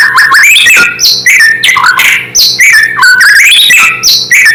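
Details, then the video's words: Natural song of a white-rumped shama, said to agitate rival shamas at once: dense, continuous run of loud whistled notes leaping up and down, with sharp slurred phrases repeating about every second over a faint low hum. "Suara asli murai membuat murai lain langsung emosi"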